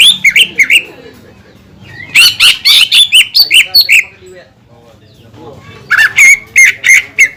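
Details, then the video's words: A greater green leafbird's lure song for provoking other leafbirds to sing, heard as short flurries of high, sharp chirps and whistles with brief quiet gaps between the phrases. "PANCINGAN CUCAK IJO GACOR YANG BIKIN BURUNG CUCAK IJO LAIN EMOSI DAN LANGSUNG GACOR"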